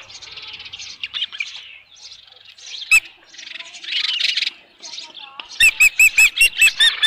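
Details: Thin, distant-sounding high whistles from the osprey nest at Dunrovin Ranch, 27 June 2018, headless fish at hand, build into a closing series of loud, evenly spaced sharp chirps about three per second.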